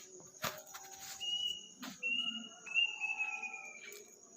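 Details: Unidentified bird heard at midnight in a village on Takbiran night, described as strange and eerie: thin, high whistled notes held steady, then a stepped series of slightly falling whistles, over a constant insect drone and a few sharp knocks.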